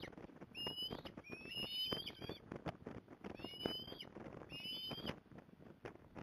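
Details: Osprey at its nest in Port Lincoln, Australia, 15 November 2020, with the mother coming to help; bursts of loud upslurred whistles in quick pairs, amid scraping and rustling at the nest.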